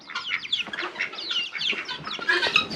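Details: Several young farm chickens, hatched this year, chatter at once in the morning: a dense run of high, quick cheeps and short clucks overlapping with no pause.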